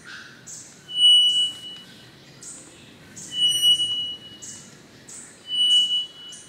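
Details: An adult male Three-wattled Bellbird on his perch in Curi-Cancha Reserve, Monteverde, Costa Rica, gives loud, far-carrying ringing calls every two to three seconds, each a sharp burst with a thin, high, squeaky whistle.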